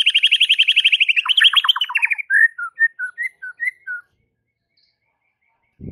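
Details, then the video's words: White-rumped shama, its song used to provoke other shamas into singing: a fast rattling trill near the start, then a series of separate clear whistled notes, rising and falling, that ends after about four seconds. "Murai batu ini SONTAK bikin murai lain TETAP GACOR dan NGEPLONG hanya dengan Sekali Pancingan Saja"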